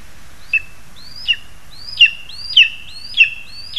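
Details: Lesser spotted eagle, recorded 2 August 2020 while the parents deliver food to their chick; evenly spaced piercing calls, each a sharp upward sweep joined to a steady whistled note, growing louder toward the end.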